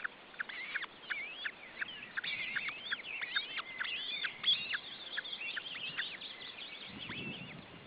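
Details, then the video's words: Ostrey nest in Estonia, the male trying to feed his chicks; dense run of sharp, high chirps and slurred whistles, thinning toward the end, where a low rumble enters. "Male osprey tries to feed his chicks"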